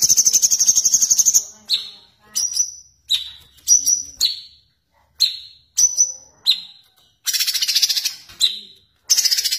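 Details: Sooty-headed bulbul song: an opening high rolling trill, then a string of sharp whistled shots, many falling, about one every half second, ending in two more fast buzzy trills.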